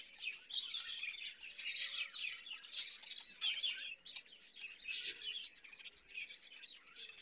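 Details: Continuous high twittering and scratchy chirps from caged budgerigars, several birds overlapping in a busy, uneven chatter throughout.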